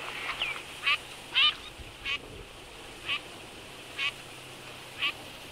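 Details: Wintering Eurasian teal in Absheron National Park, Azerbaijan, where females kept pinching each other and males stayed calm. Short, bright, slightly rising calls come roughly once a second over a soft steady hiss.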